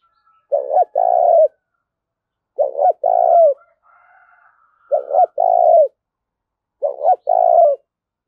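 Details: Spotted dove kept as a decoy, singing a loud, clear challenge to rivals: four paired coo phrases, a short note and then a longer falling coo, repeated about every two seconds. A faint higher murmur sounds between phrases.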